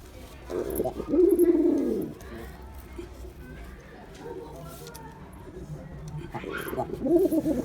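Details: Male Girabaj pigeon performing, giving low cooing bursts around one to two seconds long, a loud coo near the start and another near the end, with quieter murmuring between and faint background noise.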